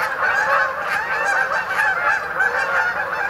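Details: Brief burst of a Canada goose flock honking together as the birds come in to roost on the Sapsucker Woods main pond, Ithaca, New York, 28 October 2017.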